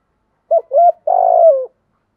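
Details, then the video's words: One spotted dove fighting phrase: two short upturned coos in quick succession, then a long, grainy, gently pulsing coo that drops in pitch at the end; quiet surroundings. "Chim cu gáy giọng thổ thúc đấu + gáy gọi bổi + giọng bổi khoái đấu"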